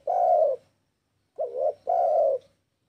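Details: Tekukur, or spotted dove, giving a lure call meant to make rivals call back; deep resonant coos, one long held note, a gap, then a short wavering note followed by another long steady coo.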